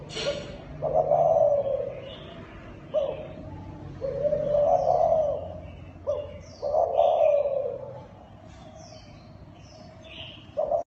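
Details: Thai dove calling in the kích bổi style, four low rounded coos roughly every two to three seconds, each swelling then fading, with thin high chirps of other birds between them.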